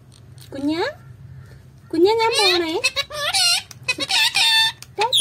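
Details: Parrot speaking Malayalam: bursts of speech-like syllables with sharp rising and falling harmonic glides, a short sweeping phrase, a pause, then a longer run of chattering, squeaky word sounds indoors.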